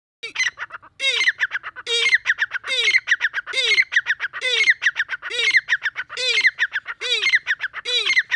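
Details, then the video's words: Deccani partridge calling in breeding season: harsh, ringing multi-note phrases with a low downslurred note, repeated about once per second in a steady series, loud and clear with little background noise. "دکنی تیترکی بریڈکےموسم کی آواز"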